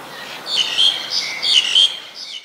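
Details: White-vented myna, Ubon Ratchathani, Thailand, late December 2019. Loud, close chirps and squeaky whistles come in two bursts, shrill and somewhat harsh, with short gaps between them.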